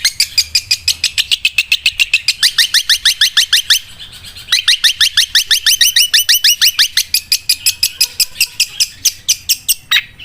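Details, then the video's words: Long-tailed shrike song compared to a sewing machine: a long, steady machine-gun stream of short, sharp high notes, three or so a second, pausing briefly near the middle before resuming. "CENDET SUARA MESIN JAHIT"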